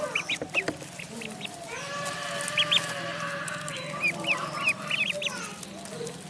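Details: In a pond, a duckling utters short, high peeps in scattered pairs and small groups across the clip, over a continuous band of lower background noise.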